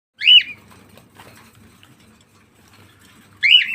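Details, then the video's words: Cockatiel giving two loud, harsh upslurred calls, one at the start and one at the end, with faint rustling and soft chatter between. "Cocktail Parrot"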